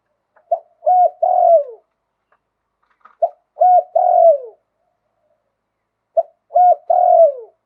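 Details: Lui tan song of a spotted dove from Thailand with a wild-type voice, repeated about every three seconds: clipped opening note, short coo, then a sustained falling coo.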